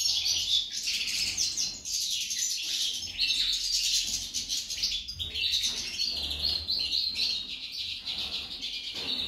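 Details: Unbroken, lively high twitter of a female goldfinch that is said to sound like a hummingbird, mixing quick chirps, buzzy trills and thin whistled notes throughout.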